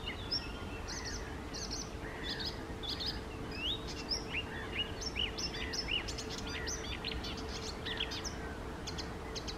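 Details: Eurasian reed warbler singing at lakes on the morning of 28 May 2024: a steady, chattering run of scratchy and whistled notes, many repeated two or three times, over a low hum and background rumble.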